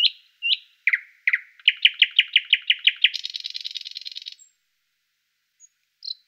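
Thrush nightingale song: a few clear piping notes, then a fast run of about eight sharp knocking notes, ending in a dense dry rattle.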